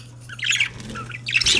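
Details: Male budgerigars, pet parakeets, chattering in two short bursts of scratchy, squawky warbling with buzzy notes, separated by a brief pause, over a steady low electrical hum.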